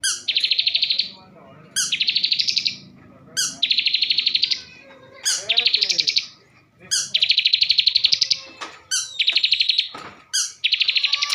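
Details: Caged bar-winged prinia from Slawi, Tegal, Central Java, singing a rich varied song: bursts opening with a sharp high note, then rapid buzzy trills of about a dozen pulses, repeated every one to two seconds.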